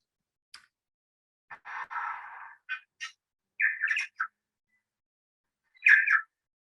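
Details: A New Zealand bellbird gives its standard call, a short run of clear, separate ringing notes with one harsher, scratchy burst early on, mid-pitched and irregularly spaced over several seconds; clearer than the similar tui.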